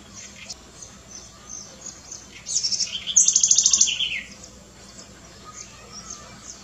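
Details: House wren (curruíra), a small bird living even in city centres and feeding on insects, larvae, seeds and fruit, sings one quick burst of high chattering notes and a rapid repeated trill, with faint distant chirps before and after.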